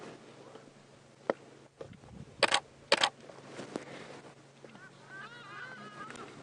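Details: Hadeda ibises fly off to their roost in the late afternoon, about 4:30 PM on 23 August, on a safari drive near Djuma Game Reserve, South Africa, giving two loud, harsh honking blasts over a low vehicle engine hum.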